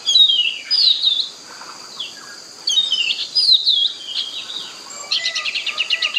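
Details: Oriental magpie-robin song from a forest: loud, varied whistled phrases, some rising and falling, then a quick buzzy trill at the end over a soft background hiss.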